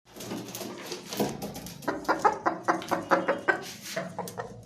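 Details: Hen making a rapid series of harsh, clipped clucks, about a dozen short bursts in quick succession, rough and crackling in tone.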